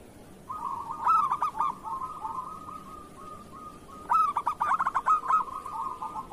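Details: Kerot song of a local zebra dove, played to get other doves singing: two strong bursts of rapid, rough staccato coos about three seconds apart, each trailing off into a long rolling run of quick notes.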